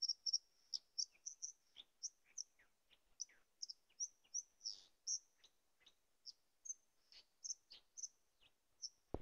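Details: White-throated Dipper song at a tarn below Kozí štít in the Tatras: a quick run of high, thin, scratchy notes mixed with short downward strokes, several each second, ending with a sharp click.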